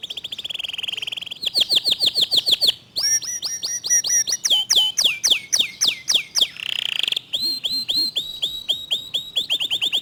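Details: Fast, tight 'tembakan' song of a local canary: a sustained whistle, then quick repeated downslurred whistles, varied trilled phrases with sharp high notes, a buzzy rolling section, and another run of rapid clear notes.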